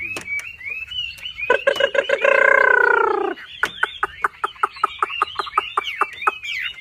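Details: Javan pied starling (wambi, jalak suren) in a masteran tutoring recording of full 'tembakan' bursts: a loud harsh, harmonic rattle that slides downward, then a run of rapid sharp clicks among short whistled notes.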